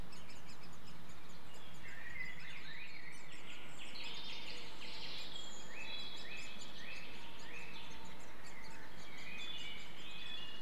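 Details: Great spotted woodpeckers feeding young at a nest-hole in Clyne Woods, Swansea, Wales, in May 2014. Buzzy, rasping downward strokes repeat about four times a second, with whistled woodland birdsong and a steady low rumble behind.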